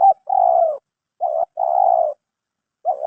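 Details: Spotted dove (terkukur) valued for its 'mersik' voice; paired cooing notes, a short lead-in followed by a sustained slightly falling coo, repeated twice, with the start of a third phrase at the end.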